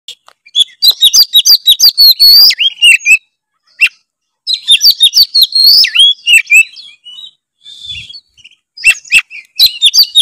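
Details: White-rumped shama singing energetically, used to provoke reluctant birds into singing; loud bursts of varied whistles, rich slurred notes and sharp clicks delivered in fast runs, with pauses between bouts.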